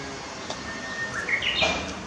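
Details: Japanese bush warbler singing in Okamoto Park, Futako-Tamagawa, on 24 April 2021. A clear held whistle rises into a quick bright flourish of higher notes, over steady background hiss and distant hum.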